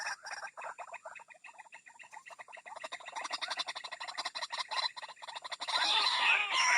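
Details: White-breasted waterhen lure sound for calling birds out of bushes: a fast, rattling series of short clipped notes, several per second, ending in a louder, harsher, noisy outburst.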